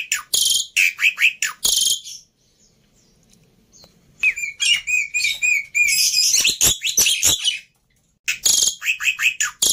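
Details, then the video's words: Over-emotional fighter Black-winged myna, suitable for teaching silent mynas, sends out harsh chattering bursts, a quiet spell, then a ringing trilled phrase with rapid scratchy notes before a final chattering flurry. "Burung Jalak Putih fighter Emosi Nya kelewatan || Cocok Untuk Masteran Jalak Bisu"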